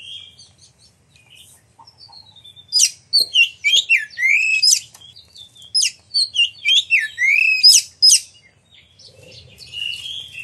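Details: Singing Oriental magpie-robin, a caged bird whose song is played to make other magpie-robins respond with song and tail display; quiet start, then a dense several-second burst of sharp, varied whistled and chirping phrases.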